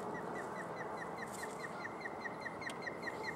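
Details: At Barr Lake, Brighton, Colorado, an osprey gives an evenly spaced series of brief, high, whistled chirps, about two or three per second, throughout, against a steady roar of wind or distant traffic.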